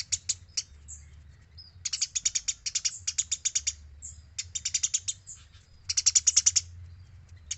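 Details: Eurasian tree sparrow singing for training other birds; clusters of fast, sharp high chirps run together into ratchet-like bursts, with brief gaps and scattered single notes between them, and a soft low hum beneath.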